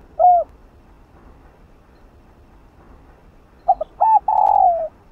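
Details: Spotted dove decoy call for a caged bird: one lone hooked coo, a gap of quiet, then stuttered notes running into a longer rough coo.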